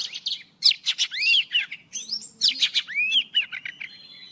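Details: Old wild Oriental magpie-robin morning song, used for lure trapping. Two similar phrases of buzzy notes lead into bright upslurred and downslurred whistles, then end in a thin held note, with a soft low murmur underneath.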